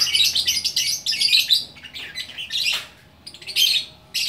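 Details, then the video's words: Bukittinggi lovebird, West Sumatra, in gacor orkestra singing: scratchy high twitters for about two seconds, a downward squeaky note, a short pause, then more shrill bursts. "Burung Lovebird Gacor Orkestra"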